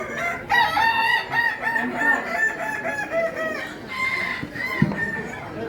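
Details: Endemic Kukuak Balenggek chicken from Solok, West Sumatra, Indonesia, competing in a crowing contest: a drawn-out crow broken into many short stepped syllables rises and falls over about three seconds, then another bird starts, with background chatter.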